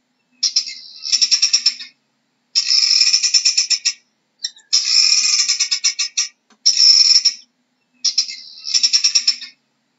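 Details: A guineafowl gives five raspy, rattling call bursts roughly every two seconds. The calls are loud and coarse, made of rapid pulses, with silence between them.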